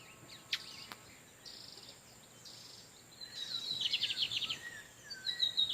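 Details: [4, 'Male lined seedeaters singing back and forth in natural habitat while a female incubates. Thin tonal notes and faint clicks come first, then a dense burst of rapid, high, buzzy repeated notes lasting about a second.']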